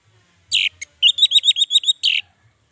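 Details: Orange-headed thrush song used as a lure and training model to make sluggish captive birds sing. It opens with a harsh buzzy burst and a short note, then comes a quick run of about eight clipped, repeated whistled notes, and it ends with another buzzy burst.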